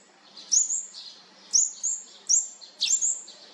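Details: High, thin tweets from olive-backed sunbird young of a fourth brood as they are fed, coming in a few close pairs.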